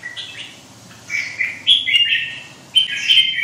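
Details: Short, bright, whistled warbles from a red-whiskered bulbul with white wing feathers, two loud phrases after a quiet start.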